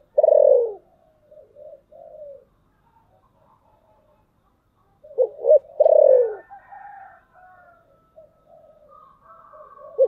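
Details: Spotted dove decoy cooing to attract wild birds in thunder-voice style: a loud falling coo with soft trailing notes, a pause, then two quick coos and another strong falling coo before wavering higher tones.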